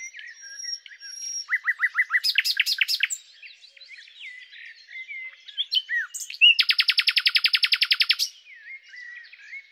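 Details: Common nightingale song, Luscinia megarhynchos: a thin high whistle, a series of repeated rising notes, varied chips, then a prolonged loud rattling trill before quieter closing notes.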